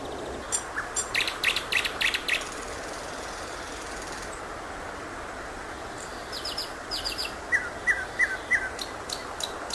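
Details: Thrush nightingale song phrases: an early burst of loud, dry rattling clicks, a pause, then a run of short repeated whistled notes and bright ticks, all over constant broadband hiss.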